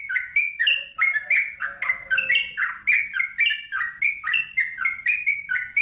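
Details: Yellow-vented bulbul delivering masteran song for caged songbirds: dense, rapid, gurgling phrases of slurred chirps, nearly four per second, with a soft low warbling voice heard early on.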